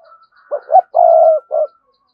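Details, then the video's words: Spotted dove, 'cườm sa' type, giving a prompting coo: one deep phrase of two quick short notes, a long purring coo held for half a second and a brief closing note, with a faint thin tone just before it. "cu gáy thúc gù CƯỜM SA, cu gay kich boi nhanh noi gù"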